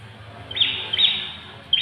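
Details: Quick series of sharp, high, buzzy chips from an ashy tailorbird, locally called prenjak kepala merah, three notes within under two seconds, over a quiet low-pitched background.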